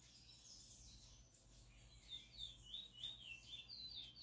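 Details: Singing chestnut-bellied seed finch, a selected bird heard up close; after a quiet start, a string of bright whistled slurs rolls up and down in rapid succession, roughly three notes a second, over a low background hum.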